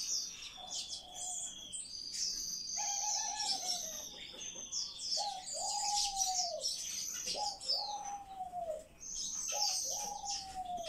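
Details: Rescued young chaffinch nestlings keep up a dense, overlapping stream of high, thin chirps. Lower, slurred descending notes break in every couple of seconds.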